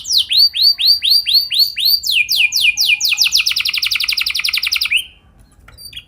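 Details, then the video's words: Canary singing a lure song for training other canaries: looping upswept whistles, then a sweep into a very rapid, even trill that stops abruptly after five seconds. "Pancingan Burung Kenari Biar Gacor Ngeroll Panjang! Pasti Nyaut Kenari Manasaja"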